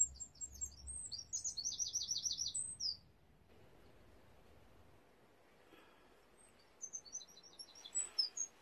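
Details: Wren nesting by a garden window, 22 July 2021, heard faintly: a quick high trilled phrase, a pause filled with background hiss, then more sharp high notes near the end.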